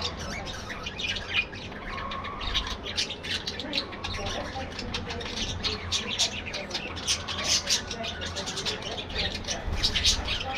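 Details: Budgerigars in an aviary colony: a dense, continuous chatter of many overlapping high squawks, chirps and warbles, with short bright notes crowding together without pause and a low steady hum underneath.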